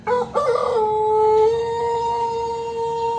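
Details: Pelung chicken rooster from Plered, Purwakarta Regency, crowing: a short broken opening, then one long, steady, drawn-out tone with rich harmonics held for nearly three seconds without a break.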